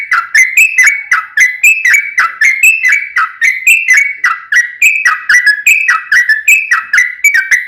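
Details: Loud, fast fighting song of a sooty-headed bulbul, played to make another bulbul answer. Liquid whistled phrases with downward-sliding notes repeat over and over.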